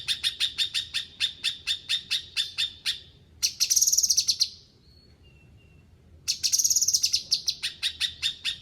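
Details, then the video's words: Energetic song of a cucak kinoi bulbul: a long series of crisp, rapid repeated chip notes, then a loud buzzy, high-pitched trilling burst, a brief faint whistle, and a return to buzzy trills and chips. "Cucak kinoi gacor"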